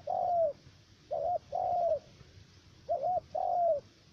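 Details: Spotted dove used as a trapping decoy in U Minh, Khánh Hòa commune, Cà Mau, Vietnam, giving a three-note voice. Two-part phrases: a short wavy coo, then a longer level coo that falls at the end, spaced irregularly over low background rumble.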